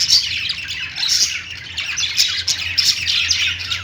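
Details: Lovebirds chirping: rapid high twittering and piercing squeaks overlapping in a constant flock chatter.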